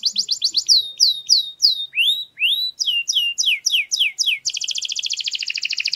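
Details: Canary tutor song for teaching chicks: a quick series of swooping, rising and falling whistled notes in varied phrases, ending in a dense, rapid, steady high trill.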